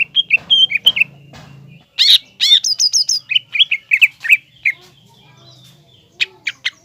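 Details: Singing green leafbird used as a provoking model for a young spotted bird: varied whistles, sharp chips and a rapid high trill, then descending slurred notes and scattered clicks, with a soft low drone early on.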